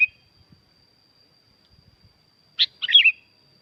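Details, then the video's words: A single quick phrase from a sooty-headed bulbul at Curug Agung in Subang, West Java, Indonesia: a sharp note followed by a tumbling, warbled flourish after a pause, with a faint steady high tone and soft clicks. "Kicau asli kutilang ribut gacor pancingan buat kutilang macet bunyi"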